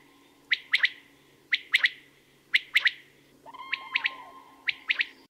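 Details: Common quail giving its trisyllabic song: sharp three-note bursts, the first note separated and the last two close together, repeated roughly once a second, with a steadier lower call briefly in the background.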